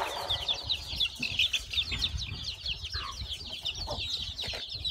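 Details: Just-hatched farm chicks from a hen's clutch chirp in a steady, high-pitched chorus. A few lower clucks and a low rumbling background sit beneath.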